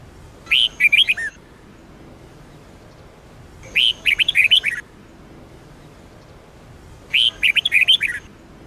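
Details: Training song of a red-whiskered bulbul in the Sông Kôn style. Three similar phrases of rapid, warbling whistled notes, each about a second long, repeated roughly every three seconds in a quiet setting.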